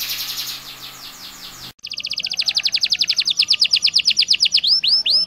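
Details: Canary gacor song used to tutor other canaries. A soft trill breaks off abruptly, then a loud, fast run of clipped falling notes follows, slowing into a few longer swooping whistles.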